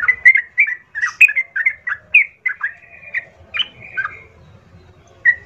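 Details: Vigorous Sooty-headed bulbul lure song, played to make other bulbuls answer and fight: a string of short, similar bubbling whistled phrases repeated about once a second, a buzzy drawn-out note, then a few trailing calls after a pause.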